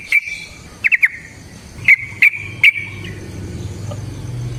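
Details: Yellow-vented bulbul, used as a lure to make other birds sing: a few short, sharp chirps, some doubled, spaced irregularly over a quiet background with a faint low hum.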